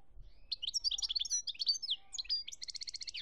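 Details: European goldfinch in Algeria, 2017, delivering a fast, tinkling jumble of high chirps and slurs, followed by a rapid, regular trill of sharp repeated notes with a faint lower echo.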